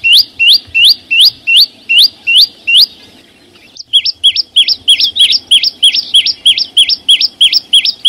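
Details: A green flowerpecker rings out in the wild with repeated rising whistled notes, then a short silence, then quicker, doubled high notes that sweep down and up, about three per second.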